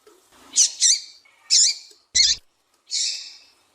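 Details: Female Double-collared seedeater call meant to excite males into singing: a quick run of five high, harsh chip notes, some doubled, the last slightly drawn out and buzzy.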